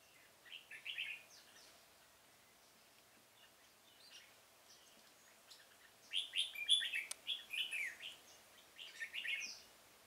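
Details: Red-whiskered bulbul acting as a trapping decoy in a pomelo garden, 25 October 2017: a brief phrase, a quiet gap, then a burst of several quick whistled phrases, a sharp click among them.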